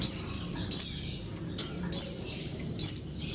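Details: A female Oriental white-eye gives very high, thin, downward-sweeping calls to attract the male, clustered in pairs and triplets with brief pauses.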